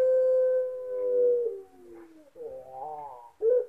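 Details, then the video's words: Contest-winning Puter Pelung dove, Sragen, Indonesia, October 2021: a long, steady, slightly falling coo, a softer dip, then a wavering rising phrase ending in a sharp short note. "Puter Pelung Juara."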